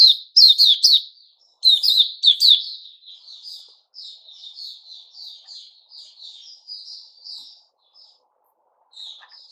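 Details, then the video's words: Puteh raja (white-rumped shama) on 29 August 2021, giving two loud bursts of sharp, falling chirps, then a long stretch of quiet, rapid, even twittering that trails off into silence before one last soft note. "Puteh Raja Sing Buka"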